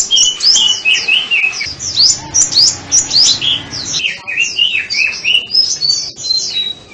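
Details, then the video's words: Sunbird giving a loud, fast stream of high twittering and sweeping notes, some dipping lower, in steady rhythmic phrases. "Tiếng chim hút mật"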